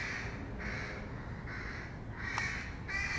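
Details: Fledgling crows being fed, hoarse drawn-out caws one after another with short gaps, slightly uneven in spacing, over low continuous background noise.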